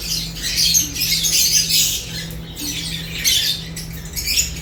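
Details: Feeding lovebirds give continuous high, scratchy chirps in bursts that swell and fade, over a constant low hum.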